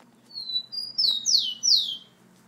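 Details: Caged rufous-collared sparrow at home, said to be aggressive toward the camera, repeating its song of two clear level whistles and three strong downward-sweeping whistled notes.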